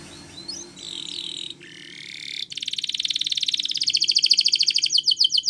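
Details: Belgian canary singing in the morning, opening with brief high whistles and a steady held tone, then breaking into a pulsed trill that quickens and grows louder.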